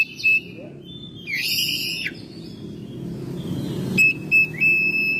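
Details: Caged Oriental magpie-robin kept at home in Indonesia, recorded in May, giving loud pure whistled notes near steady pitch, a buzzy harmonic-rich phrase, then clear repeated whistles toward the end, over a low rumbling background noise.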